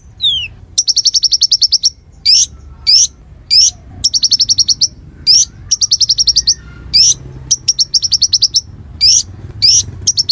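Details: Caged konin in full song, a recording used for training murai: a strongly regular pattern of fast high chattering trills, each about a second long, alternating with single sharp upward-sweeping notes.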